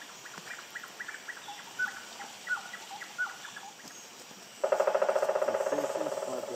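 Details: Pileated woodpecker hammering on a tree in a fast machine-gun roll of rapid knocks for the last two seconds, which slowly fades. It is preceded by soft, scattered chirps from other birds over a quiet outdoor background.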